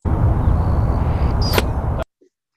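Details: A diving male Anna's Hummingbird near UC Berkeley, with outer tail feathers experimentally manipulated, shoots past the microphone at about 60 mph: a faint, thin, high trill drifts slightly upward, no loud beep; a brief crack follows over heavy wind rumble.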